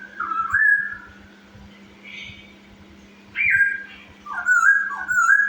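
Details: Chinese hwamei singing as a lure to excite other birds: short clear whistled phrases with upward jumps and slurred drops, delivered in three loud bursts with pauses, over a steady low hum.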